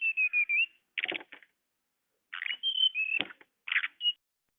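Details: Blue flycatcher (tledekan) bird-luring sound: wavering whistled notes alternating with rough, buzzy chattering bursts and a sharp click, on a quiet background.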